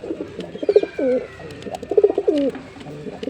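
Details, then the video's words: Jeera pigeon, a male in display, giving quick rolling coos with curling downward slurs, two phrases in a few seconds, a thin high whine faintly behind. "Pigeon Sound Effect (Ultra High Quality) || Male Pigeon Super Performance || jeera pigeon"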